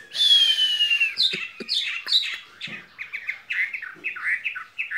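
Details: Skylark kept in a cage sings in spring, opening with a long harsh buzzy descending note, then breaking into quick chirping twitters and scratchy trills.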